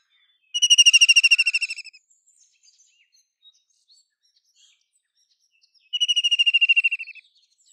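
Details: White-throated kingfisher giving a loud, fast, chattering trill lasting over a second, falling slightly at the end, then after a long quiet pause a second, shorter trill of the same ringing notes.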